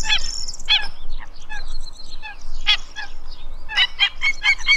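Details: Black-winged Stilt calling: sharp, nasal, harmonic yelping notes, given singly at first and then in a quicker irregular burst near the end, over a low background rumble.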